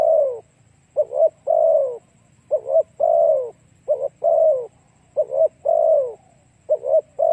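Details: Spotted dove cooing, played to stimulate and attract other doves: low, mellow coos in repeated phrases, each two quick short notes followed by a longer drawn-out falling coo, about five phrases in seven seconds over a faint low hum.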